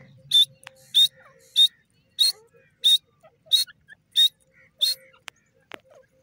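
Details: Grey francolin (desi teetar) calling: a loud, sharp, high-pitched note repeated steadily about every 0.6 seconds, eight notes in a row, over a faint low hum and a few soft clicks.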